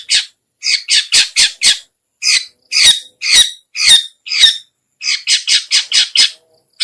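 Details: Chattering lure call of a long-tailed shrike, known locally as cendet or pentet, for luring other shrikes: rapid scratchy squawking notes in bursts of three to five, about two per second, separated by brief silences.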